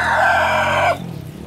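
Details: Roosters crowing in competition: one loud, harsh crow holds steady for about a second, then breaks off sharply with a slight downward slur, leaving faint background noise.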